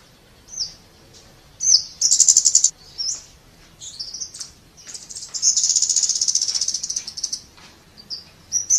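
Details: Scarlet-backed flowerpecker song: very high thin notes near the top of hearing, short sharp tsip calls mixed with fast buzzy trilled runs lasting about a second, separated by brief pauses.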